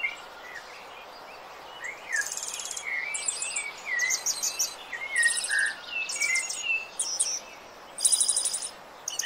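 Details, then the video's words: Song of the sabiá-laranjeira, or Rufous-bellied thrush, for bird training: steady, slurred whistles run throughout, overlapped for most of the stretch by loud, high, buzzy rattling bursts from another caller. "SABIÁ - CANTO PARA TREINAR SEU PASSARO"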